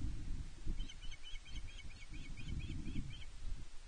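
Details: Female osprey fish-calling at Loch Arkaig Nest One, demanding fish from her mate, 31 May 2023, nest camera: about ten short, high, chirping notes in a quick even run, over steady low wind rumble.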